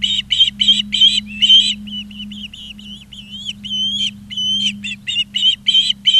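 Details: Charlo, Montana nest, August 2023: Osprey gives rapid loud chirps, then softer, longer whistled notes with slight upward bends, then quick chirps again, above a steady electrical hum.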